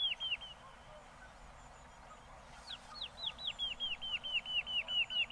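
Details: A woodlark in Castricum, the Netherlands, sings a liquid run of high, falling notes that speeds up to about three a second, after a short opening phrase; faint low rumble beneath.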